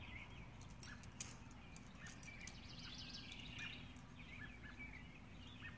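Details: A nesting purple martin pair, a subadult one-year-old male and his mate, returning to roost in their martin house at dusk after a day of feeding. They give soft, gurgling, overlapping chirps over a steady low rumble.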